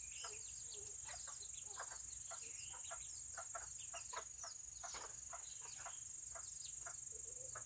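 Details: A group of Seramas, among the world's smallest chickens, on a wet Saturday keeps up a chatter of short clipped clucks and peeping chirps, fairly regular, about two or three a second, with a steady high whine behind.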